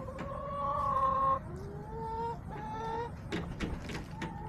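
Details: Backyard hens give a series of drawn-out tonal calls, the first loud and steady, then shorter rising phrases, with clicking and light knocking between.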